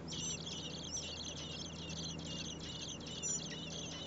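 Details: Common blackbird chicks, four in a nest near a home, begging as parents deliver food on a day over 30 °C: a busy wash of thin, high squeaky notes, rising and falling in volume over a low background hum.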